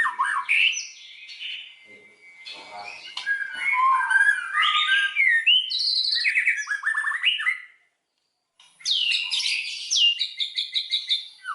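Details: Provoking song of a white-rumped shama used to trigger full song in other shamas: a long medley of whistles, harsh rattles and mimicked-sounding notes, a second of silence, then loud sweeping whistles and quick repeated chips.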